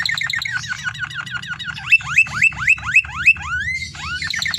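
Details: A canary singing energetically, recorded as a lure for other canaries: a rapid series of downswept notes, then loud repeated rising upswept whistles about every third of a second, a long slurred whistle and more quick notes.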